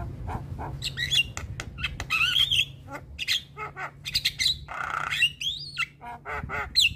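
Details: Javan myna in lively voice on a tutoring recording for young mynas: harsh chattering squawks, buzzy notes and several looping whistles, delivered in quick uneven bursts.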